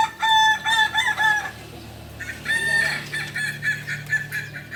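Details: At a practice meet in Panyakalan, Solok, kukuak balenggek cocks give bright, ringing crows in short stepped notes. A loud burst is followed by a quieter pause, then another rooster joins, over a steady low hum.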